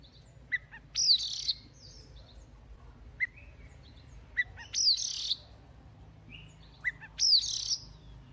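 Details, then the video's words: An Oriental magpie-robin in morning voice-practice song: loud phrases of clear, sweeping whistles and harsh buzzy notes, repeated about every two to three seconds, with soft chips between them. "Chòe than mồi hót luyện giọng mỗi sáng"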